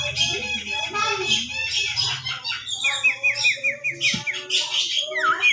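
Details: Javan myna producing scratchy chatter followed by a rapid string of sharp, downslurred V-shaped whistles and a few louder whistled notes, over a faint low hum.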